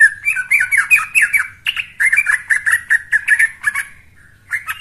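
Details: A young yellow-vented bulbul sings a lively, bubbling chatter of quick liquid notes, tumbling phrases repeated almost without pause, with a faint low hum behind; a recording used as a lure to prompt other bulbuls to sing.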